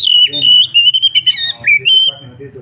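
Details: Oriental magpie-robin, locally kacer, singing energetically: clear, loud whistled phrases with sliding and warbled notes, held tones dipping and rising, over a steady low electrical hum.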